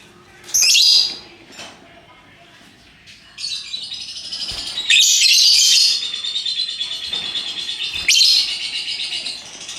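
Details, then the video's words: Lovebirds in assorted colours perform the ngekek: after an opening shrill squeal, a long continuous buzzy, rattling high chatter runs unbroken for several seconds, rising in loudness midway. "Burung Lovebird Rupa Rupa Warnanya, Burung Paruh Bengkok, Bunyi Ngekek Gacor"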